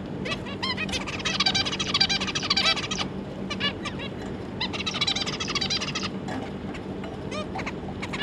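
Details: Adult zebra finch pair with three juvenile young, July 25, 2022: two bursts of quick, raspy, stacked chattering song notes, each about two seconds long, with scattered single nasal calls between them and a low humming background.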